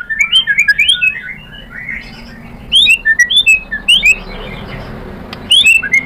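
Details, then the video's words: Lure recording of a white-rumped shama to make a rival sing back; bright twittering and slurred whistles in rapid clusters, interrupted by a hissing quieter stretch before sharp notes return. "pancingan MURAI BATU GACOR FIGHTER ampuh untuk menaikkan emosi biar NYAUT BONGKAR ISIAN | SHAMA BIRD"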